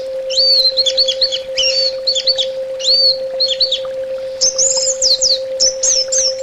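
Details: Loud orange-headed thrush song of repeated phrases: each opens with an upward-swept whistle and breaks into fast warbled, twisting notes, about every second, over a faint constant hum.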